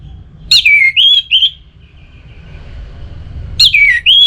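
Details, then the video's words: Loud, clear whistled phrases from an orange-headed thrush singing ngeplong style to stimulate another bird: a high note slurring downward, then short rising whistles, repeated after a three-second pause. "ANIS MERAH LOYO Bakal SONTAK NYAUT GACOR dan EMOSI dengar Kicauan Ngeplong ini"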